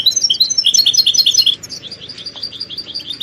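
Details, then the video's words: European goldfinch song used to encourage caged goldfinches to sing: a loud, quick string of ringing, liquid notes for a second and a half, followed by softer, fainter twittering over steady background hiss. "بتبتة الحسون تحفيز الحسون على التغريد والهيجان علاج صمت الحسون goldfinch stimulation"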